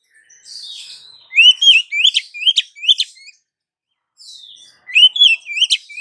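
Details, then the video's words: Calling female Oriental magpie-robin summoning a male: a soft, hoarse note leads into quick, loud bursts of sharp chirps and rising whistles, about three per second, then a pause and another chattering burst. "SUARA KACER BETINA MEMANGGIL KACER JANTAN"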